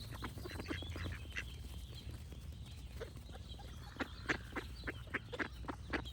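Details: Duck giving loud, irregular quacks, some short and some drawn out, spread through the clip over a steady low rumble, with faint higher bird song in the background.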